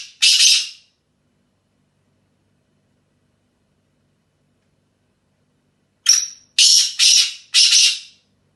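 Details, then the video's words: Desi black francolin recorded in England: one loud rasping note, a long silence of about five seconds, then a full phrase of a brief whistle followed by four harsh, scratchy notes spaced about half a second apart. "Dasi Speeder Teetar In England"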